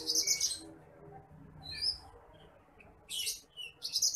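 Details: Bush lark, a seed-eating paddy-field bird with a small, fine whistle, recorded for training other birds: short bursts of very high, fizzy chirping separated by brief silences.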